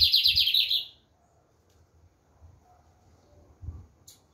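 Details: Lined seedeater song ending: the last second of a fast, buzzy pulsed trill, then near quiet with faint low thumps and a brief high tick.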